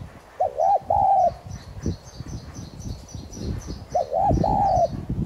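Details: A decoy tigrina spotted dove cooing thúc gù style to stimulate song: two phrases about three and a half seconds apart, each a double note then a drawn, slightly falling coo, with rustling and tapping noises between and faint high chirps.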